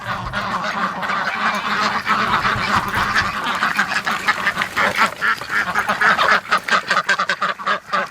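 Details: On a May 31 morning a flock of domestic ducks, eager at the gate to be let out, quacks continuously in harsh nasal overlapping calls, growing more clipped and staccato toward the end; a man speaks briefly.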